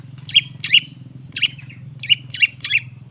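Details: ['Long-tailed shrike lure song to get a silent bird singing: six sharp, high downward-slurred notes at uneven intervals, each ending in a brief ringing tail, with a steady low hum underneath.']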